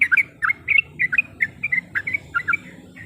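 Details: A female yellow-vented bulbul in breeding condition calls for a male, meant to rouse a rival bird. Quick bursts of liquid, gurgling double notes come in uneven clusters, with faint low rumble beneath.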